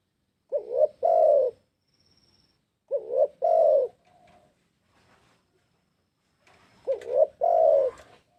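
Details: Lure call of a spotted dove: three coo phrases with long pauses between them, each a short double rising coo then a drawn-out coo, with a few faint clicks and a brief thin tone.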